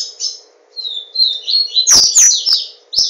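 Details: Papa-capim, a Yellow-bellied seedeater from Garanhuns in Pernambuco, Brazil, kept by an owner, gives a short high chirp, then a fast rising series of buzzy warbled notes, over a faint low hum and a few loud clicks.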